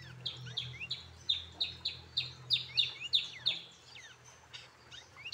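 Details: Very tame pet brown-throated sunbird, locally called coconut hummingbird and kept since childhood, utters a lively series of high, sharp chirps, each with a quick falling tail, repeated roughly three times a second, with a faint low hum behind.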